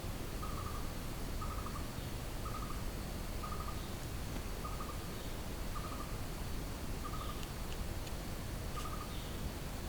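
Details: A blue-throated barbet sings in the jungle: short, rolling mid-pitched phrases, repeated about once a second, over a steady low rumble and faint insect buzz.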